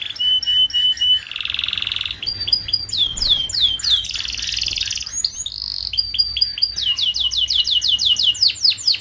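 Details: Young canary singing, a recording for mastering young group-kept canaries: varied bursts of fast trills, buzzy rolls and strings of repeated downward-sweeping whistles.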